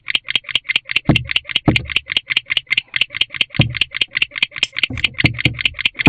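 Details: Barn owls, a bonded pair in an owl box at night, showing affection; fast, regular stream of rasping clicks continuing without pause, mixed with several dull knocks of shuffling in the box.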